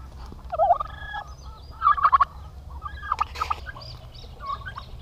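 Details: Male domestic turkeys kept together on a farm in Paraná, Brazil, described as aggressive and prone to fighting, gobbling in four short rattling bursts spread across five seconds, with low rumbling background noise.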